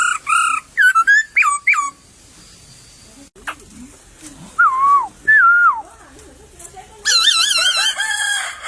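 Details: Laughingthrush singing in bamboo scrub in the wild: a quick burst of rising whistles, a pause with soft low notes, two clear slurred whistles, then a long warbling, wavering phrase.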